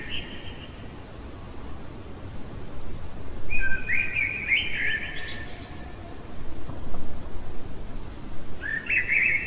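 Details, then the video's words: Common blackbird singing in the middle of the night, three separate mellow whistled phrases, the middle one ending in a high scratchy twitter, separated by pauses filled with low background rumble. "Merle chantant au cœur de la nuit"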